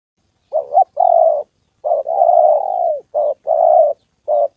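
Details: Spotted dove, a trained decoy bird meeting a wild bird and a female on the 2 September holiday, giving low, hoarse cooing phrases: a short doubled note, then a long drawn-out coo that slides downward, repeated with short pauses.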